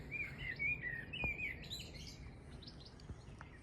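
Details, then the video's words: A common blackbird sings close by at Orchard Bay, St Lawrence, Isle of Wight, by Ventnor Botanical Gardens in spring: a mellow warbled phrase breaking into higher twittering, with goldfinches and a distant blackcap chirping faintly and a couple of soft knocks. "There's a blackbird just up here singing."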